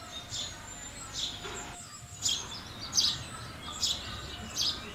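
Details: House sparrow calls: bright, clipped chirps repeated at uneven intervals of under a second, with quieter twitters and a faint low hum underneath.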